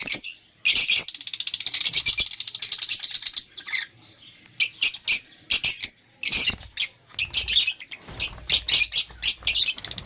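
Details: Lovebirds chattering: a long run of fast, rattling high chirps, then scattered sharp squeaky notes and short bursts with gaps between them.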